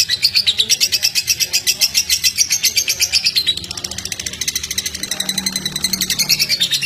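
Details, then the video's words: Lovebird chatter used to stimulate other lovebirds: quick shrill chirps sweeping up and down in pitch, growing fainter and thinner after three and a half seconds before strengthening again. "BURUNG LOVEBIRD ANDA JADI KONSLET GARA GARA SUARA INI"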